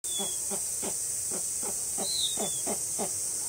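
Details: A captive snowy owl at Tama Zoo, Japan, in August 2012, threatening to protect its chicks, gives about ten harsh, low barking notes, roughly three per second, over a steady high hiss and a brief thin whistle.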